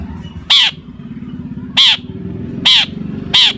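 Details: Long-tailed shrike singing hard in full mimicry style as a lure for other shrikes. Four loud, harsh, grating notes spaced about a second apart over continuous low mechanical droning.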